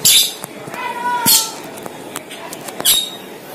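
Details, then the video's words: Asian glossy starling, known locally as cucak keling or perling, in a lure recording meant to attract the same bird: harsh broadband squawks, thin level whistles and sharp clicks, irregular and bright, over a steady background hiss. "PANCINGAN CUCAK KELING | CK | PERLING"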